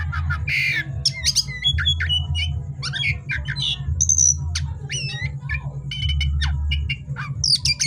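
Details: Oriental magpie-robin (kacer) in full song at night, described as a remedy for stressed magpie-robins; loud varied whistles, sharp chirps and harsh squawky notes in quick bursts, over a steady low hum.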